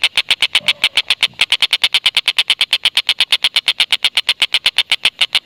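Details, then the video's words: Fast, continuous 'kek-kek-kek' chatter from an Indonesian tengkek buto, used as a lure so lovebirds start calling; evenly spaced bright notes fill the whole stretch. "Tengkek Buto Gacor Masteran Burung Lovebird"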